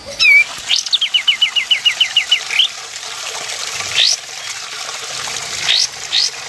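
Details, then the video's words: Song of a male sooty-headed bulbul, recorded as a lure and training model for bird contests: a bright falling whistle, then a rapid string of about ten repeated short notes and scattered rising upslurs, with steady background hiss. "Masteran Kapas Tembak Gacor"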